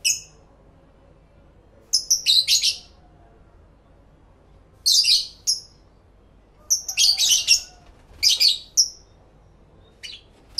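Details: Several pet lovebirds chattering among themselves indoors, recorded in stereo through two external microphones: bursts of piercing, high chirps come in clusters every two to three seconds, separated by near silence.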